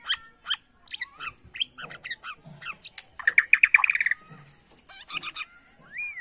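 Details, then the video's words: Shama from Borneo bowing and singing to anger rivals: a string of varied chips and short whistles, then a fast, loud rattling series of repeated notes, finishing with a looping whistle. "BIKIN EMOSI LAWAN || Gaya SUJUD murai batu BORNEO"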